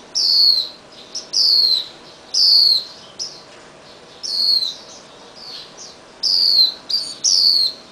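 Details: Released Swinhoe's white-eye fledgling hopping on a garage beam, chased and fed red berries by its parents; sharp, high, falling chip notes come in quick irregular runs with softer chirps between, roughly eight clear calls.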